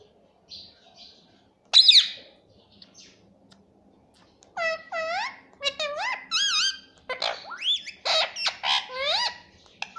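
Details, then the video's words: Pet ringneck parakeet mimicking "mummy": a sharp high squeak, then a run of loud arched and dipping whistled syllables, repeated several times with brief pauses, against a quiet indoor background. "Talking parrot || talking parrot mummy papa || bolne wala tota"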